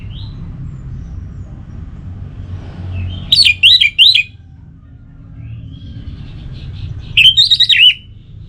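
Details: Orange-headed thrush (anis merah) kept in North Bali, Singaraja, gives two short bursts of looping, bouncing whistled phrases several seconds apart, separated by quiet stretches with soft faint notes and steady low hum.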